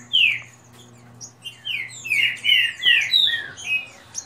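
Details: Kept green-winged saltators dispute in rapid song. One sharp falling whistle comes first, then a dense cluster of loud overlapping whistles, over a low background hum.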